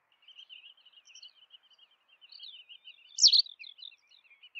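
White wagtail giving a soft, steady twitter of quick high chirps, broken by one sharper, louder note near the end; otherwise quiet.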